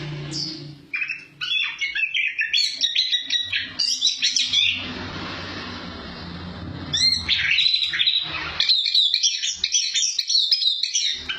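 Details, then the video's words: Song of a chestnut-capped thrush, used as a tutor for other birds. Lively bursts of high chirps, whistles and trills, broken mid-way by a brief rush of hissing noise, then a renewed fast twittering phrase. "Suara Burung Anis Kembang Cocok Untuk Masteran"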